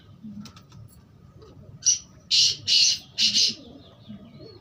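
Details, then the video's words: Black francolin calling: a brief rasping note followed by three loud, buzzy, grating notes evenly spaced about half a second apart, over faint low hum. "Kala teetar mast bolar khubsurat awaaz"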